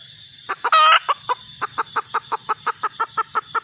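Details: Red junglefowl hen opens with a few clucks, breaks into a brief loud raspy squawk, then continues with a rapid, even string of about fourteen short clucking notes; steady background hiss.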